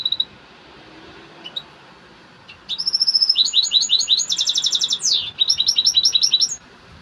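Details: Excited song of a European goldfinch: after a few isolated chirps, an energetic burst of rapid tinkling twitters, buzzes and trills lasting several seconds.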